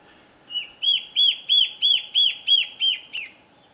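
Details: Slender Antbird in Boa Nova, Bahia, north-east Brazil, August–September 2013, giving a rapid series of about eight loud, arched, downslurred notes, three per second, fading at the end; faint background hum.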